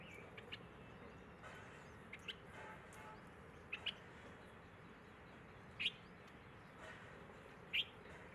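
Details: Asian green bee-eater in Ahmedabad, India, on 5 December 2022 at 10:30 in the morning: short, sharp, high chirps at irregular intervals, the last few louder, over a steady background hum.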